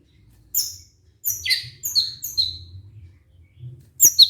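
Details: White-rumped shama song used as a lure for stressed birds: sparse, very high, thin whistled notes, some sliding downward, spaced about half a second apart, with a faint low hum underneath.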